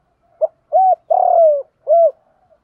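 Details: Cooing spotted dove, male and female voices used for training caged birds: one clipped note, a rounded coo, a drawn-out sliding coo and a last rounded note, low and mellow, with no other noise.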